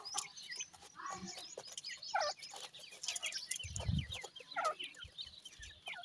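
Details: A brood of grey francolin chicks cheeping in overlapping series of short downward-slurred notes, steady and dense, with a low thump near the four-second mark.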